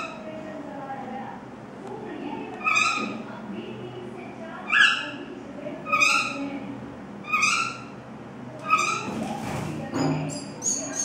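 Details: Shalik pakhi, the common myna, feeding baby birds away from the nest: a series of raspy, harmonic-rich calls repeated roughly every second and a half, with a brief burst of noise near the end.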